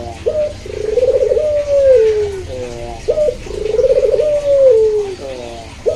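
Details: Two full coo phrases from a Barbary dove, pelung or local puter: each a clipped introductory note followed by a purring, pulsing coo that arches and drops, separated by faint stuttering notes.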